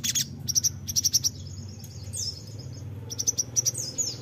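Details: Crimson sunbird, used as a lure for young birds: clusters of sharp, high ticking chirps in quick groups of three or four, a few thin downslurred whistles between them, over steady low background hum.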